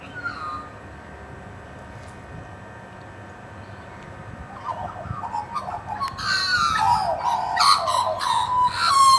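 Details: About 20 wild Australian magpies scavenging a bone and being fed meat break into loud, harsh, warbling calls with rapid, uneven chattering notes, starting quietly and swelling over the last few seconds. A man speaks briefly.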